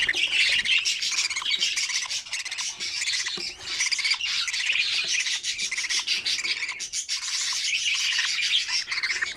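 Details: Several budgerigar nestlings in an opened nest box, feeding each other, keep up a harsh, buzzy stream of overlapping squawks, rapid and irregular, swelling and dipping in loudness.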